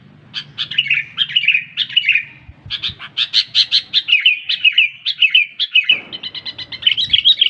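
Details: Sooty-headed bulbul delivering a lively run of bright chirps and slurred whistles, roughly two notes a second, becoming denser and faster toward the end, with a faint low hum behind.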